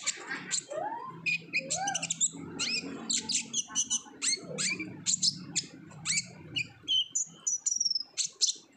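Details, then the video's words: Lure recording of an olive-backed sunbird singing vigorously in 'ngobra' style to get untrained sunbirds singing: high, rapid chips and twitters, a few lower looping whistles early on, ending in thin, drawn-out high whistles over low hum. "PANCINGAN KONIN GACOR NGOBRA , KONIN BAHAN PASTI AKAN RAJIN BUNYI"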